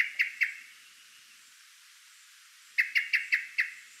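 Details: Common Blackbird giving sharp, metallic evening alarm chinks, reacting to disturbance: a pair, a pause, then a rapid run of five, about five per second, over a quiet background.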